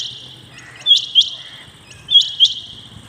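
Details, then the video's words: Rain quail calling in the early morning: two clear double notes, each a quick pair of sharp, ringing high clicks about a quarter second apart, the pairs over a second apart. "Rain quail calling 2021 | common quail calling early in the morning | چنگھا بٹیر کی زبردست آواز"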